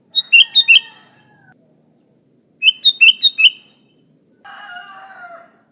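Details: Sooty-headed bulbul singing vigorously, an unmixed recording used to lure bulbuls: two bubbly phrases of four or five quick fluty notes, then a softer wavering tone from another source, over a steady high whine.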